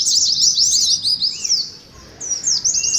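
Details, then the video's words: Oriental white-eye 'ngeriwik' twittering meant to provoke other white-eyes into song: a burst of fast, thin, high chirps, a short near-silent pause, then the rapid twitter resumes. "TERAPI PLECI NGERIWIK , PANCINGAN PLECI NGALAS"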